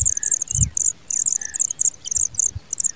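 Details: Pipit young being fed by a hard-working parent: a dense, high, thin chorus of rapid chirps in irregular bursts, with a few faint slurred whistles lower down and soft low thumps.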